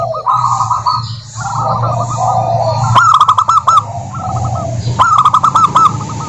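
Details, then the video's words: Local zebra dove female calling against a rival: short rolling coo phrases, then crisp pulsed notes in two bursts, with a constant low mechanical hum behind. "Suara Burung Perkutut Lokal betina gacor memanggil lawan"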